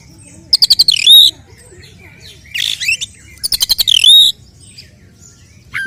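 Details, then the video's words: Oriental magpie-robin 'tarung konslet' fighting song used to provoke males; two matching phrases about three seconds apart, each a fast stutter of clicks leading into a dipping whistled note. "Kacer gacor 🔥TARUNG KONSLET nembak BUKA EKOR pancingan efektif UNTUK mendongkrak EMOSI burung KACER"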